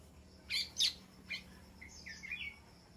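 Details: A White-rumped shama in an aviary, calling to its flock, gives two loud sharp chips, then a fainter one, followed by a soft quick warble of high whistled notes; quiet background.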